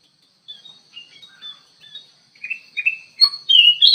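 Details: In an aviary, an actively singing kutilang emas bulbul used for luring gives soft scattered chirps that build into louder whistled, downslurred phrases over the last second and a half.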